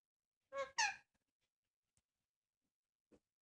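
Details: ['Indian ringneck parakeet, kept as a talking pet, utters two short squeaky speech-like syllables in quick succession, followed by near silence with faint clicks.']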